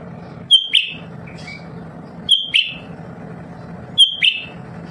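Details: Lesser green leafbird in a home, chattering nonstop as a stimulus for other birds. The same two-note phrase, a sharp whistle then a buzzy slurred drop, repeats three times about every 1.8 seconds over a low mechanical hum.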